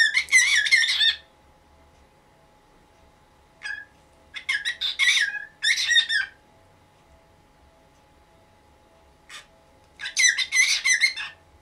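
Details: A 19-year-old pet cockatiel in the morning, noisily demanding that the cloth over its cage be removed. Harsh, grating squawks come in bursts of about a second, separated by quiet pauses, with several repeated screeches near the end.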